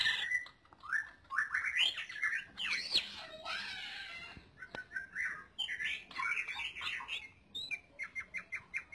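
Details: Greater green leafbird song meant as a tutoring recording for other birds: a long varied run of fast warbled and chattering phrases with slurred whistles and harsh notes, ending in rapid clipped chips.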